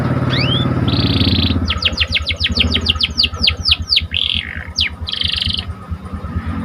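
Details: Lively singing of a panda-marked canary, used to stir up emotion in other canaries: rising whistles, a buzzy roll, then a rapid run of about fifteen falling sweeps and another buzzy roll over low background rumble.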